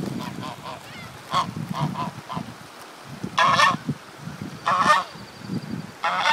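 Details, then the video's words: A tame goose, apparently distressed as if it has lost a companion, gives loud harsh nasal honks, three main ones about a second and a half apart, amid softer low clucking notes and quieter earlier honks. "strange goose noises"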